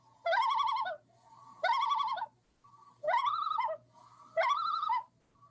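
A Common Loon gives its wavering, laughing tremolo in four rapid quavering bursts, each under a second, about every second and a half, over a faint low hum.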